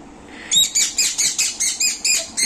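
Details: Small young pet Indian ringneck parakeet scolding angrily: after a quiet start, a loud run of about eight harsh, shrill squawks, each a quarter second apart, over a faint background hiss.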